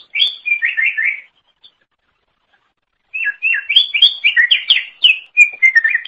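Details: Leafbird (cucak ijo) singing energetically as a tutor for cage songbirds: a quick series of downslurred whistles, a silent gap, then a long, varied run of sweet, twisting notes.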